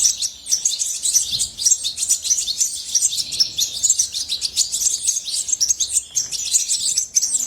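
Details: Hobbyist-kept goldfinch delivering a cheerful, fast stream of high-pitched twitters and jingling trills that carries on steadily from start to end.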